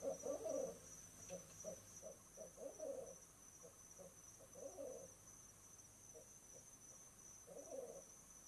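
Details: Evening duet of barred owl mates at an owl box in November 2008, calling to claim the nesting spot; loud blended hoots open, then irregular clusters of low hoots come and go, growing softer.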